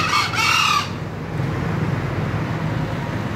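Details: Green junglefowl crowing: a single loud, hoarse, harmonic burst under one second long at the start, followed by a steady low rumble of background noise.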